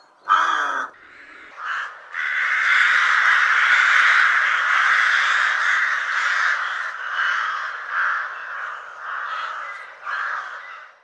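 A rook gives harsh, grating caws: a short opening note, then a long rasping drawl of several seconds, followed by a string of shorter hoarse caws.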